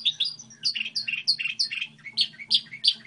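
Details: Short stretch of goldfinch hybrid model song: crisp, quickly repeated high chirps and slurred notes, several per second, with a gentle low hum underneath.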